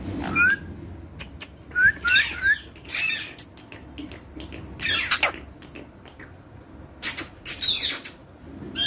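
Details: Short rising whistles from a parrot mixed with rough, broadband squawks and scratchy noises, delivered in irregular bursts across several seconds, punctuated by clicks and tapping.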